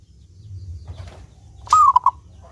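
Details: Local zebra dove, clear-voiced, used as a lure to make other zebra doves sing; after a quiet start one short rolling coo phrase of a few bubbling notes, over a faint low rumble.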